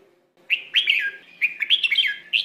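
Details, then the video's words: Red-whiskered bulbul singing in the Phleng Roi song style, used as a training recording for young birds: after half a second of quiet, bright warbled phrases of slurred, bubbling notes come in quick bursts, with a faint low hum underneath. "นกกรงหัวจุก เสียงฝึกร้อง สำนวนเพลงร้อย แบบชัดชัด"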